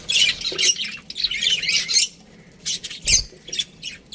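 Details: Scratchy squawking bursts from aviary budgies, with a quieter gap in the middle before more sharp chirps resume; one low bump accompanies a call.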